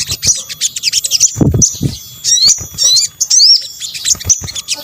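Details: Sunbird, known locally as sogok ontong, calls used to lure birds: sharp high chirps and rising whistled notes in quick bursts, with low thumps in between.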